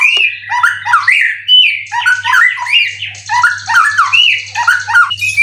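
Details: Indonesian competition white-rumped shama, twelve times a winner and moulted three times, sings a dense stream of bouncing whistled notes and quick chattering phrases, with intermittent low hum.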